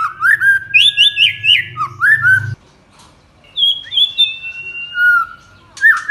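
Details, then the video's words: Lively village white-rumped shama: quick chattering whistled notes and squeaky phrases, a pause, then long clear drawn-out whistles and a final slurred note, with a low hum in the first half. "MURAI BATU KAMPUNG GA SANGKA NGAGETIN SUARANNYA GACOR"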